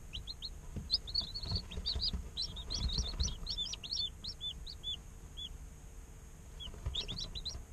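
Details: Baby chickens a day old, in an incubator, peeping: bursts of high curved chirps from several chicks, thinning to scattered single calls midway, then a brief cluster again, with faint low bumps.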